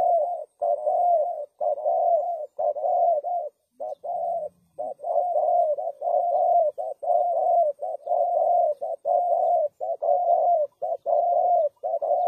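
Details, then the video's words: Long continuous series from a spotted dove used as a trapping lure, short and long hollow coos alternating rhythmically with barely a pause, one faint low hum midway. "Suara Burung Tekukur Bersih Cocok Untuk Pikat"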